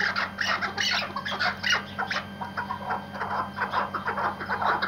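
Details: Tethered Iraqi white hunting partridge uttering a continuous series of rough, clucking cackles about twice a second, fairly even in volume, against a low constant hum.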